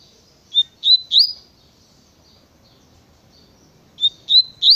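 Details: Double-collared seedeater, Tui Tui song style, giving bright rising whistled notes in short bursts of three, a pause with soft faint notes between them.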